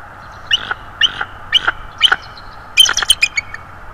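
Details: On 19 December 2022 a three-to-four-year-old bald eagle visiting a nest in northeast Florida voices haunting calls: four spaced, shrill whistled notes followed by a quick jumble of sharper, squealing chips.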